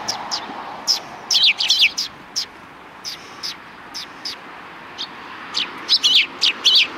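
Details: Sparrows on a road just before a Tenmangu shrine, December 13, 2019: short bright chirps scattered singly, then quick clustered bursts of rapid high twittering, with a faint low background hum.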